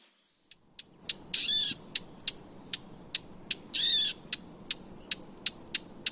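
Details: Wild Eurasian blackcap calling: sharp, dry ticking notes repeated irregularly several times a second, with two short buzzy rattles among them.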